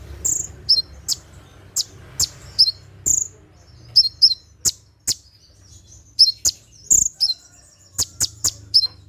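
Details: Night-time 'tembakan' song of a konin, or Brown-throated sunbird, meant for training caged birds: crisp high ticks alternate with thin whistled notes, some in quick pairs, across nine seconds.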